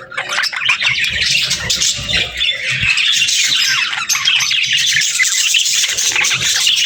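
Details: Chatty budgerigar pairs exchanging calls: busy overlapping chirps, squeaks and rasping warbles without pause, loud and high-pitched throughout.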